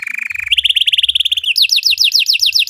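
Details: Belgian canary song used to teach other canaries: a half-second steady mid-pitched buzzy trill, a faster higher trill, then a run of higher descending whistled notes.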